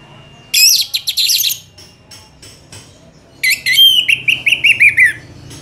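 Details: Orange-headed thrush (Geokichla citrina) in long, vigorous song suited as a training model for other songbirds: two rich, varied phrases of high, sweet whistles and rapid chattering notes, the second ending in a quick descending trill.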